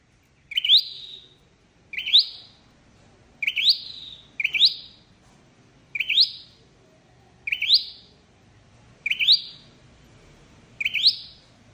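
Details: Lure call of a flowerpecker for trapping, a steady series of eight high, sharp upswept notes with falling tails, evenly repeated about every one and a half seconds.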